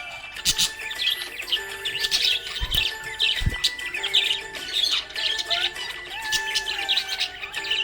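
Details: A budgie described as happy chatters in rapid, buzzy high warbles and clicks, coming in bursts every second or so over a background of sustained music notes.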